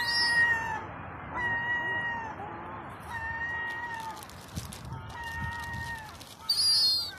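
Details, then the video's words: Begging European herring gull chick, two to four months old, asking for food with long, even, plaintive whistles, each under a second, repeated about every second, a brief shrill squeal at the end, over a steady low hum. "Herring Gull chick demanding scones"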